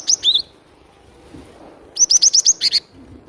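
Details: Cinereous tit in full, vigorous song for luring: a short pair of high notes, then after a silence a quick string of seven crisp, piercing chips, the last ones slightly lower.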